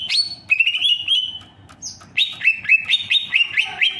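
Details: Greater green leafbird singing clear whistled phrases: a long slurred note, a short quiet gap, then a quick run of bright rising notes repeated several times.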